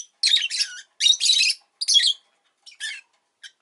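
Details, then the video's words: Pet rosy-faced lovebird chirping indoors: harsh, buzzy high squawks in short bursts of about half a second, separated by brief pauses, with fainter scratchy chirps near the end. "Lovebird Chirping Sounds"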